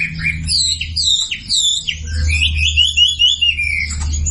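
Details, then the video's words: Sumatran leafbird masteran recording aimed at silent birds: high warbled whistles and a squawky note, then a run of descending slurred phrases over a steady low hum. "SUARA MASTERAN WAMBI UNTUK YANG DIAM IKUT KICAU"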